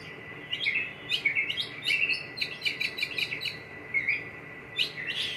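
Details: Jogja white-rumped shama song: lively sequence of bright, clipped whistles and twittering notes, several fast bursts packed together, a constant low hum in the background.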